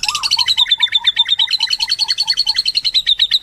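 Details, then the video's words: White-rumped shama giving a rapid, steady trill of repeated chipping notes, about two per second, over a lower series of short whistled notes, forming a fast rattling song. "MURAI MERDU"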